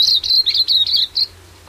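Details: Silvereye, or waxeye, in New Zealand giving a short series of six high, slightly buzzy chirps in quick succession, then silence.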